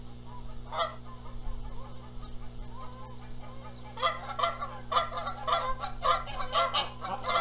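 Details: At a Canada goose nest in Charlo, Montana, April 14, 2022, the birds dispute who incubates the eggs while the male joins in noisily. Scattered single honks at first, then a dense burst of rapid, overlapping honking.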